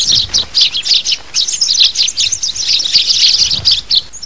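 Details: Adult sparrows chirping for a trapping lure aimed at adult birds: sharp high notes in quick irregular groups, some doubled, with brief pauses between clusters and faint low thumps.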